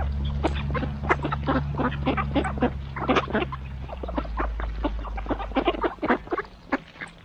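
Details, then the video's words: Mallard ducks feeding in the morning, a fast jumble of short, harsh quacks and chattering notes, many overlapping, over a steady low hum that fades after the first few seconds. "Morning Feeding, Mallard Ducks"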